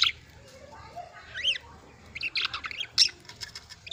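Budgerigars chatter with quick, buzzy chirps and warbled squeaks in short bursts.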